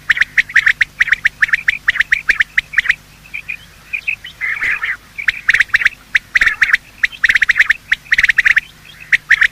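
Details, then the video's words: Quail, male and female, calling in the morning, in a recording used to attract quail for hunting. Dense, fast series of clipped, squeaky notes repeat almost without a break, with a short burst of rougher chatter midway. "Quail calling sound"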